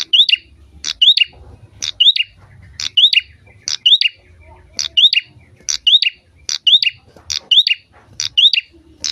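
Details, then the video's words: Actively singing prinia used to coax other birds to sing, giving brisk repeated phrases about every second: a piercing chip, a rising whistled slur and a quick buzzy tail, over soft low background hum. "prenjak gacor cocok buat pancingan burung"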